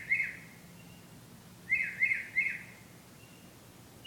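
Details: A bird returning at night to sing, with short high chirped notes in a cluster of three to four around the middle and one at the start, over quiet background hum.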